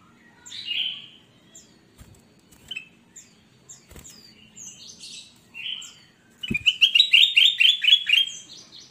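Ruby-throated Bulbul singing: scattered bright chirps, then a fast run of repeated liquid notes, about four per second, with a faint low hum beneath.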